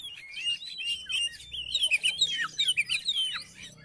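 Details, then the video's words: Oriental magpie-robin song played to encourage a silent magpie-robin; softer, somewhat distant warbling of twisting whistled notes in a continuous run, with faint low background hum. "KACER MACET MALAS BUNYI??? COBA DIPANCING DENGAN KICAUAN KACER INI"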